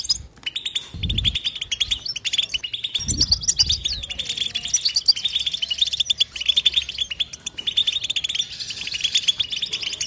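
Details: European goldfinch twittering without pause: rapid high chirps and trills run continuously, with faint low thumps in the first few seconds.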